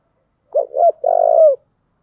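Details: Spotted dove in "giọng thổ" style, urged toward fighting or competition, gives one loud phrase: two short, bouncy rising notes, a brief pause, then a sustained buzzy coo that tails off downward. A quiet background.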